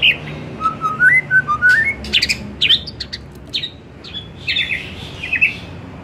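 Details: Lure song of a white-rumped shama for the afternoon: a stepped series of clear whistled notes rising in pitch, then dense harsh chips and fading slurred phrases.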